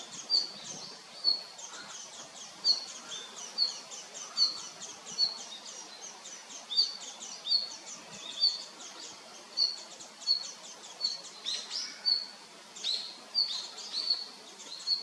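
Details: Steady series of brief, piercing high notes from a male red-flanked bluetail, nearly one a second for fifteen seconds, with a short burst of louder mixed chirps around the twelfth second.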